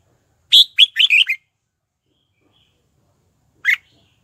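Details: Red-whiskered bulbul singing as a lure for wild birds to come and fight: a lively phrase of four or five rapid chirping notes, followed after a pause by one sharp isolated note.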